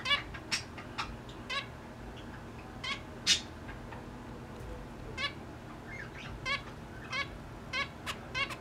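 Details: Zebra finches (Taeniopygia guttata) during mating attempts give short, nasal, toy-trumpet beeps, repeated irregularly over a soft background hiss.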